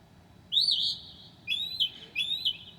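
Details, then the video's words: Mockingbird singing in the night at 2 a.m. on 9 July 2008, copying other birds: long, rich whistled phrases, the first rising, then two slurred phrases with faint high overtones. "Mocking bird at 2:00 A.M."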